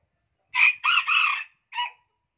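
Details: A hybrid junglefowl rooster from Central Vietnam and the Central Highlands, claimed to have the region's highest crow, calls once: a short burst, two long high notes, a gap, and a short ending note, with nothing else audible.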